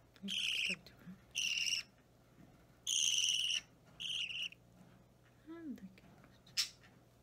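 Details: Young budgerigar, roughly three weeks old and restless while being hand-fed: four rasping begging squawks in quick succession, then softer squeaks, a brief low sliding tone and a short sharp chirp.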